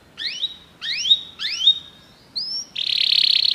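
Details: Canary song meant to prompt a pet canary to sing: three rising slurred whistles in a row, a short clear note, then a loud, rapid buzzy trill.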